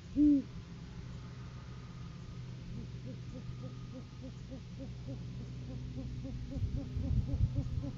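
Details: During courting season a male great horned owl delivers food to his mate on a live cam. One loud, deep hoot opens, followed by a faint, fast series of soft hoots under a steady low hum.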